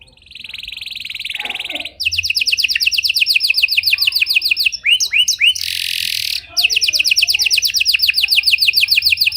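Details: Canary, Panda type, singing to bait and train other canaries: a buzzy trill, then long runs of rapid repeated notes broken by a few swooping whistles and a harsh burst.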